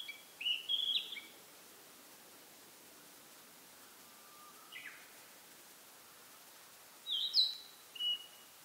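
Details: Narcissus flycatcher perched on a pine branch in a pine forest in spring, singing persistently as if claiming territory; short high whistled phrases with sharp twists, separated by long pauses, over faint steady background hiss.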